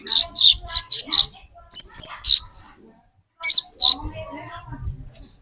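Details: Lure song of an olive-backed sunbird, the metallic konin used to draw in green konin: bright high notes in quick runs with short pauses, a few slurred upward chirps, and some faint low background sound.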